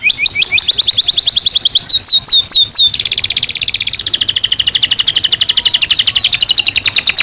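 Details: Canary singing in a cage during breeding season, a bright high song of quick repeated whistled notes, then downslurred slides, shifting into a long rapid buzzy trill.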